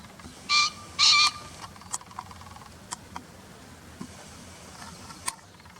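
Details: Dubbed field-guide call of a green pheasant, shown as a pair grazing in a rice paddy in early April 2021: a loud, grating two-burst crow at the start, followed by scattered soft clicks over low background noise.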